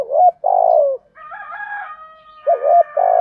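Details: Spotted doves, male and female, giving "thổ"-style urging coos used to rouse and train caged doves. Low hollow coo phrases open and close the sequence, with a drawn-out tonal hum between them.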